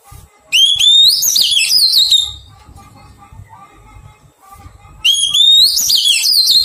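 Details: Oriental magpie-robin, wild-caught and being tamed, sings two rising whistled phrases ending in rapid warbles, separated by a pause filled with faint, softer whistled notes and low rumble.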